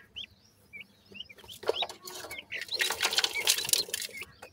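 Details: Francolin chicks, a white captive form, feeding: spaced high rising peeps at first, then a loud hissing scuffle of flapping and scratching, with chirps still showing through the noise.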